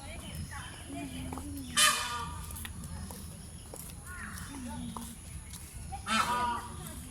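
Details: Peacock at Mirpur zoo, Bangladesh, giving loud harsh wailing cries about four seconds apart, with visitors talking throughout and a steady background hum.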